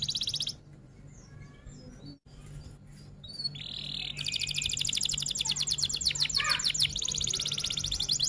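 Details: F1 canary: a short high trill, scattered faint notes and a burst of buzzy whistles, then a long, loud, continuous 'rol tembak' roll of rapid high pulses lasting several seconds.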